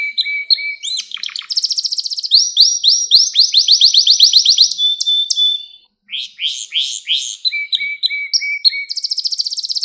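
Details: Canary song intended as a lesson for young birds: low whistled notes, then a long series of rapid upward sweeps, a steady tone, a brief gap and more chirps and trills.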